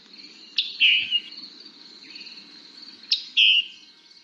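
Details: A Scarlet Tanager gives two husky chip-burr calls about two and a half seconds apart, each a sharp chip sliding into a burry note, the call given especially when a little upset; faint steady hiss.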